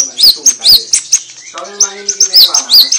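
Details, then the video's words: Song of a white-rumped shama, used to goad other shamas into replying. It has high, whistled, up-slurred notes in quick bursts, a quieter stretch with lower tonal notes midway, then more bright sweeping whistles. "JEBOL BIR4HI DAN EM0SI setiap murai yang mendengar langsung nyaut dan bongkar isian"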